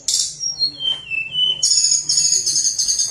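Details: Tledekan gunung, or lesser shortwing, in lively flute-like song used to prompt reluctant birds to sing: a sharp high burst, clear whistles sliding downward, then a sustained very high trilling run.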